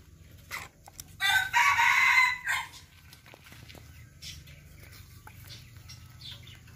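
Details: Crow of a Serama chicken: a short introductory note, then a loud, rasping, high crow of about 1.3 seconds, followed by faint clucks and rustling over a low hum.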